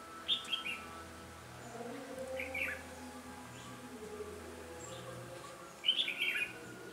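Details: Sparse fighting song from a red-whiskered bulbul at a trap site, 13 January 2017: a short warbled phrase, a fainter one, then a louder rippling burst near the end over a steady hum.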